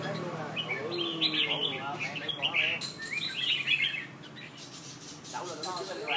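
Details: Two red-whiskered bulbuls in Nha Trang facing off in a singing contest, giving bright, quick, high, lively chirping phrases in short bursts while a man talks and urges them on.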